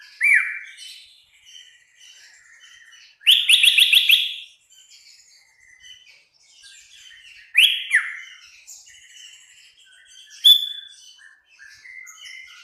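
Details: Sooty-headed bulbul singing in a busy, chattering 'gacor full tembakan' style: loud, clear whistled phrases that sweep upward and then drop, given in short bursts every few seconds. A few fainter high chirps fill the gaps.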